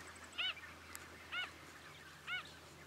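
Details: Wrybill at Miranda in February 2012 giving three short, nasal, slightly rasping notes, evenly spaced about a second apart, over a faint steady hiss.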